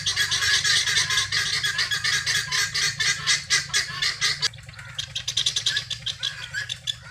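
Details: Free-range helmeted guineafowl searching for feed, giving dense overlapping harsh rasping chatter that briefly drops away and resumes as quicker, thinner grating notes, with a steady low background hum.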